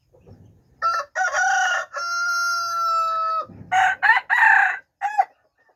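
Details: Red junglefowl at a zoo, recorded 13 September 2021, crowing: a few short harsh opening notes, then a long drawn, level, clear note, followed by several short choppy bursts and a final clipped note.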